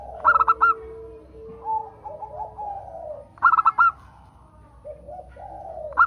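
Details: Zebra dove of a local strain singing to coax other doves into song. Crisp clipped coo bursts open the clip and recur near 3.5 seconds and at the end, separated by quieter, lower trilling coos and a steady faint tone.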